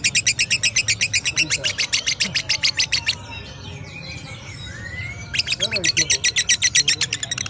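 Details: Lovebird singing in the ngekek style: a fast, even train of sharp, high chattering notes for three seconds, a short stretch of softer warbles and a rising whistle, then the rapid chatter resumes.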